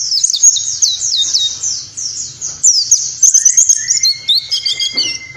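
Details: Warbling white-eye 'nembak' style tutor song for training pleci birds, fast cascading high chirps flowing into long thin whistles, over a faint low rumble.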